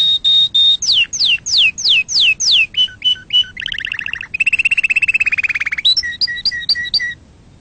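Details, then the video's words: Canary singing for young canaries to learn from: a varied phrase of steady whistles, repeated falling slurs about every third of a second, a lower buzzy rattle, then clipped two-part notes. "أحسن تغريد أصلي صافي و خالي من الأخطاء لتسميع فراخ الكناري"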